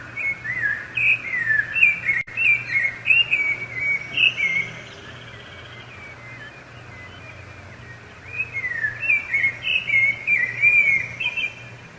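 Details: Rufous-bellied thrush singing to defend territory and draw a female: bright whistled phrases repeated rapidly for about four seconds, then a pause of several seconds before a new run of rising and falling warbled notes, with a quiet background.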